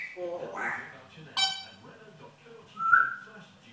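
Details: Pet African grey parrot said to swear and talk in a yam yam accent, giving a mix of voice-like sounds, a sharp clicky burst and a short pure whistle near the end, indoors.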